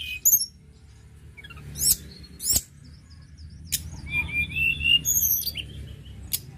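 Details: Sunda robin singing actively: high thin whistles and sharp chirps, some slurred downward, with a burst of rising and falling whistled notes near the end, over a low steady hum.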